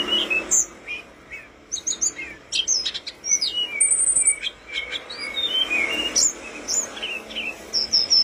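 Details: Lively song of the tledekan gunung flowerpecker: scattered high, thin chips and slurred whistles, including one level sustained whistle, over a noisy hiss.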